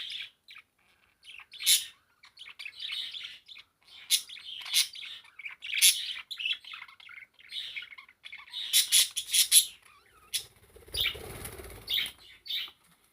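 A parakeet warbles a busy run of chirps, clicks and squeaky chatter, high-pitched and rambling, with a brief rustling noise near the end.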